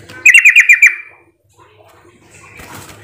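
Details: A Yellow-vented bulbul lure call, meant to prompt other bulbuls to answer back, gives a quick chattering burst of six bubbly, bright notes in under a second, followed by near silence and a faint rustle.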